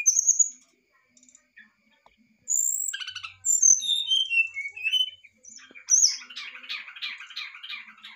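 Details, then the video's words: Brown-chested jungle flycatcher in excited song: sparse high whistled notes, then clear descending slurred whistles, ending in a fast run of buzzy, trilled notes in a quieter mid-high band. "sikatan rimba dada coklat muntah emosi"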